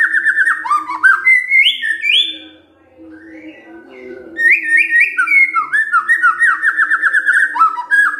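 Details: White-rumped shama kretekan fighter song played to make quiet shamas answer: bursts of rapid whistled and rattling phrases, a quiet gap in the middle, then dense repeated down-slurred whistles.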